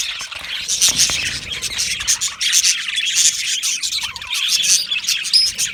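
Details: Colony of Australian budgies in an aviary: dense, continuous high chirping and warbling from many birds at once, with bright twittering notes layered over a steady chattering wash.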